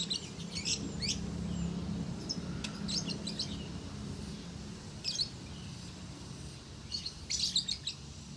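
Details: Caged lovebird from a Salatiga, Indonesia farm, recorded as a master tutor recording of konslet-style song; scattered bursts of high squeaky chirps and twitters separated by short pauses over a steady low background hum.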